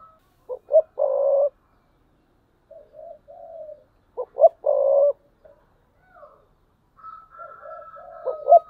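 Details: Thúc bổi cooing from a spotted dove kept as a decoy bird, 2022: repeated phrases of two short low notes and a sustained coo, with softer murmured coos between and a thin high whistle near the end.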